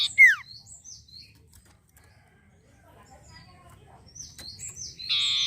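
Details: Sirtu, the long-tailed shrike, in energetic song: a brief buzzy rasp and a falling slur, then scattered high chips. A loud, sustained harsh buzz closes the sequence.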